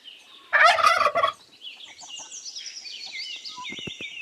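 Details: Turkey giving one loud, rapid, rattling gobble lasting under a second, followed by thin high chirps and twittering from other birds.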